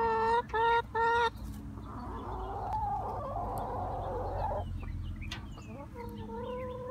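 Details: Noisy chickens: three loud, nasal, harmonic squawks in quick succession, then a murmur of softer clucking and a final drawn-out squawk near the end.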